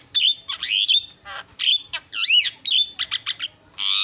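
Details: Javan myna singing a varied, lively isian filler song: clear whistled notes, looping rising and falling slurs, quick chattering clicks and a harsh rasp at the end.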